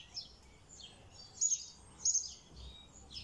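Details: High-pitched red siskin song of quick twittering notes, downward slurs and sharp buzzy accents, loudest around one and a half and two seconds, with a soft low rumble underneath.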